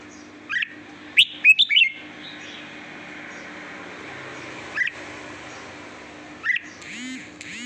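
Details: Red-whiskered bulbul singing sweetly: an opening run of several quick whistled, slurred notes, then long pauses broken by two isolated bright notes, with a faint low hum throughout.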